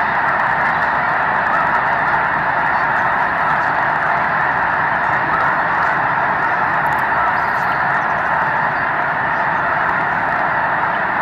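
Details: Snow geese lifting off en masse while waiting for sunrise in mid-March, from a gathering of roughly 750,000 birds: a dense, unbroken wall of honking voices, steady in loudness throughout.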